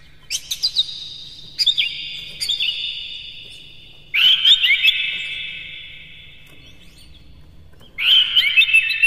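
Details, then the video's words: Oriental magpie-robin singing as a lure. Clear whistled notes slide downward, then come in separate bursts of trills and chirps about every four seconds, with quiet pauses between. "KACER NGEPLAY GACOR NEMBAK-NEMBAK ISIAN, PANCINGAN AMPUH NAIKAN EMOSI KACER"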